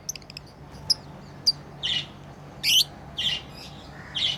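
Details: Lovebirds at play: soft high ticks, then several rasping chirps separated by pauses, over a faint low hum.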